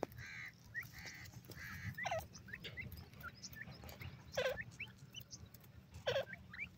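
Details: Francolin (teetar) kept for breeding, calling in harsh, clucking bursts that drop in pitch, about three spaced phrases over several seconds, with faint chirps from other birds and steady low background rumble.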